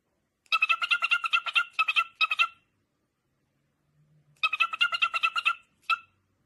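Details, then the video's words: Parrot making funny noises: two bursts of rapid, evenly pulsed nasal notes with a harsh, ringing tone, each burst lasting about two seconds, separated by a short quiet gap and ending with a single clipped note. "Parrot Makes Funny Noises"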